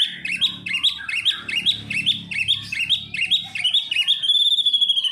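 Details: White-rumped shama, a kept songbird, giving a rapid run of sharp, upslurred chirping notes repeated about twice a second, closing with a thin, high, sustained whistled trill.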